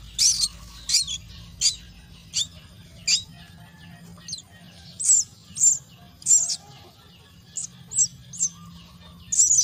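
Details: Nestling mynas begging during feeding at the nest: a long run of sharp, high, raspy chirps, irregularly spaced, some in quick pairs, over faint low background rumble.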